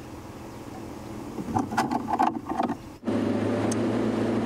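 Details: A vehicle engine idles, then a burst of rattling and clatter follows before a steady motor rumble resumes, with no animal sound heard.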